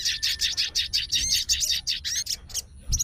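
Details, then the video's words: Fighter sooty-headed bulbul calling out an opponent delivers a steady string of buzzy, high chattering notes, close to three per second, then a sharp upslurred whistle. "SOGON FIGHTER LANGSUNG RESPON DENGAR SUARA SOGON GACOR"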